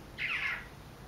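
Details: A male cuckooshrike gives a single harsh, rasping squawk about half a second long against a faint steady high whine. He comes at sunset and flies at a window, attacking his reflection and shuffling his wings.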